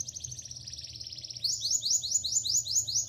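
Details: Young canary learning to sing in the afternoon: a fast high trill shifts into slower repeated rising notes about four per second, over a low steady hum.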